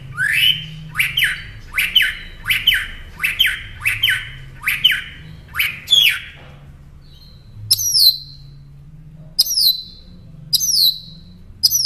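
A northern mockingbird repeats a harsh, slurred phrase about eight times in quick succession, then switches to a high, sweet whistled phrase repeated several times.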